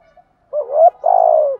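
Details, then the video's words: Decoy spotted dove giving its morning luring call to wild doves. A rising, wavering coo is followed by a longer, throaty, slightly falling coo, low-pitched and mellow. "chim cu mồi gáy gọi bổi buổi sáng kích bổi rất xiêng gáy"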